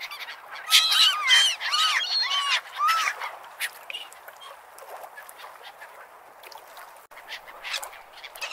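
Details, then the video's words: Seagulls at the beach give a burst of loud, repeated yelping calls with arched, slightly falling notes in the first three seconds, then quieter cries over the constant wash of surf. "Best Beach and Seagull Sound"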